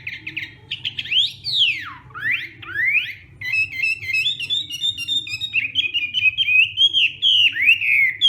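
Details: Hwamei singing in the morning as voice training, competition style: loud sweeping whistles that swoop up and down, followed by fast chattering, bubbling phrases and slurred warbles.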